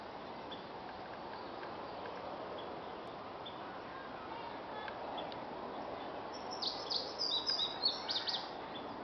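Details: A male Indigo Bunting sings a bright, high phrase ending in quick paired notes over a steady rushing background, recorded 19 May 2017 at Heard Museum, McKinney, Texas.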